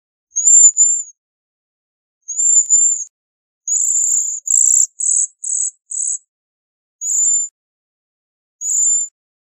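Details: Bohemian waxwing calling with two high, arched trills, then a rapid run of buzzy, sizzling notes that slow to single bursts toward the end.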